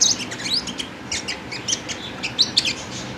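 A sunbird sings a rapid run of thin, high chirps and twittering notes, some sweeping upward, tumbling out several per second over faint background hiss.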